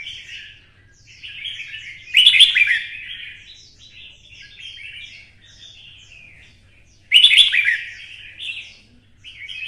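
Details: Red-whiskered bulbul from Vietnam, urged into competitive fighting song in the 'giọng xoắn' twisting style. Rapid run of chirpy, slurred notes with two loud, rasping climaxes about five seconds apart. A low background hum is present.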